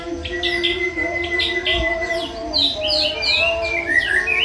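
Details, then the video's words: A young forest-born white-rumped shama gives a fast run of clear whistles, with short repeated notes at first, then sweeping high slurred phrases. A constant tonal drone runs underneath. "Legregkan Murai Batu Muda Hutan"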